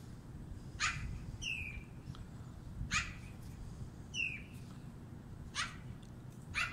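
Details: Black-billed magpie in Canada in winter, giving a varied run of harsh, rasping bursts spaced a second or two apart, with two clearer downslurred notes among them, over steady low wind-like background noise.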